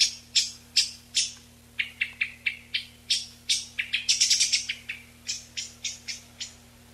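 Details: Eyebrowed thrush recorded for drawing a flock, noise reduced: around twenty-two brisk high chipping notes in seven seconds, sometimes clustering into rapid trills near the middle, then evening out, with a faint constant hum beneath.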